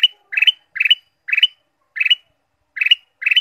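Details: Caged ruby-throated bulbul, recorded to stimulate other birds, gives a rapid series of seven harsh chattering bursts, each a tight trill of scratchy notes, repeated roughly every half second.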